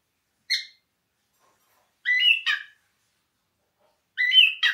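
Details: Pet cockatiel calling, for training a pet cockatiel to sing: three bursts of harsh, harmonic chirps, each a short squawky note or a pair of notes, spaced about two seconds apart, in a quiet setting.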